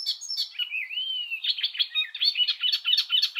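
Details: Icterine Warbler delivering a fluty rising-and-falling whistle that runs into a busy stream of chattering, squeaky and scratchy notes, varied and continuous throughout.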